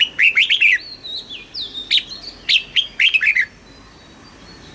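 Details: Red-whiskered bulbul, kept for song and played to excite caged birds and teach young ones, in a southern Thai master-song style: bright warbled phrases of quick rising and falling whistles, two bursts in under four seconds, with a faint whistled note between.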